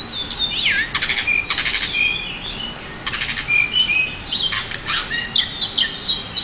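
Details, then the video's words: Champion pied bushchat singing, recorded as a master for training: high, bright notes with swooping whistles, dense rapid trills in short bursts near one and three seconds, and sliding chirps running on continuously. "burung decu juara untuk master"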